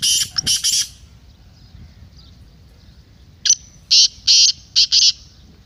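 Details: Kala teetar, or black francolin, calling to stir a kept bird into calling for chakri: two rasping bursts, a pause of over two seconds, then a fast run of five loud, scratchy notes.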